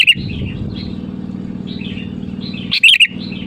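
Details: Sooty-headed bulbul calling rivals, used as a lure: soft warbled notes through most of the clip, then one loud bubbly whistled phrase near the end, against a low steady hum.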